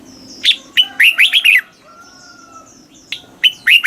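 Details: Red-whiskered bulbul song meant to rouse caged birds, southern Thai pattern; a lively whistled phrase of quick slurred notes, a faint steady tone in the pause, then the phrase starts again.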